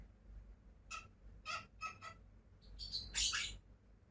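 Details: Pair of pet lovebirds: a few short, quiet chirps spaced apart, then a louder, scratchy squawking burst near the end, over low background rumble.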